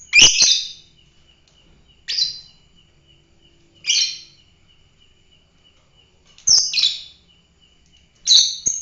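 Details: Fighter lovebird calling in harsh, piercing chirps, five loud bursts spaced roughly two seconds apart, some doubled, against a quiet background with a thin steady whine.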